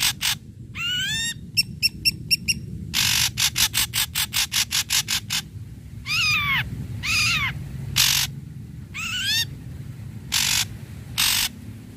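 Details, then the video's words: Ashy Drongo singing steadily to rouse silent or stalled drongos: bursts of rapid harsh rasps alternate with several upward-curving whistled sweeps and loud buzzy blasts, with a low background hum throughout. "Srigunting Abu Abu Gacor"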